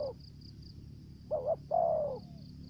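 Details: Spotted dove kept as a lure, singing in the thổ dế style, also dập and mai rừng. One coo phrase follows a trailing note: a short doubled note, then a drawn-out downward coo. A high pulsing insect trill runs behind it.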